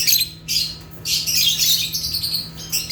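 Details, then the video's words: Loud, harsh squawking chirps from African lovebirds (Agapornis), a short burst, brief pause, then a long continuous scratchy screech-chatter, all very high-pitched, above a low steady hum. "Rare African Lovebirds (Agapornis) | Natural Chirping Sounds"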